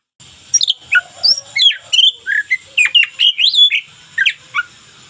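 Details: Local white-rumped shama pouring out a steady string of short whistled and chattering notes, each clearly separated, rising and dipping in quick succession.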